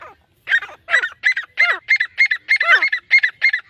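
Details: A male and female grey francolin pair call: loud, harsh, ringing notes repeated about three times a second, some slurring downward, overlapping in a rapid chorus.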